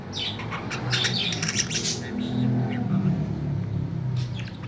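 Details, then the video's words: Tame budgerigar singing in the afternoon, giving a rapid stream of high chirps and squeaky notes for about two seconds before a rumbling, engine-like low noise takes over, with a few faint chirps later. "SUARA PARKIT"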